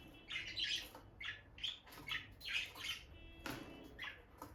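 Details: Peach-faced lovebird pair, bonded and staying close, female visiting the nest box; loud harsh squawking chirps in separated bursts about once a second, shrill and rasping, in a small room.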